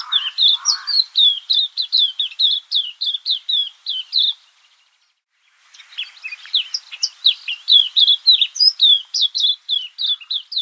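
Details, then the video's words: Cape white-eye in a garden, giving quick high twittering chirps in a fast run, a pause of about a second, then another busy burst of thin warbling notes. "Cape White-eye Bird Call"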